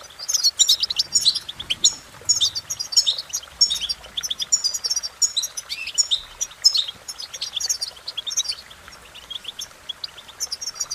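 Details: European goldfinch in sustained song, an energetic stream of high twittering, liquid chirps and quick trills with few gaps, the phrases rising and falling in loudness throughout.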